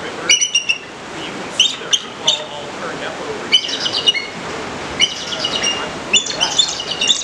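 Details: Captive Bald Eagle, a raptor-in-residence at the Alaska Raptor Center in Alaska, giving shrill, high whistled piping notes in short bursts, some single, some in quick clusters.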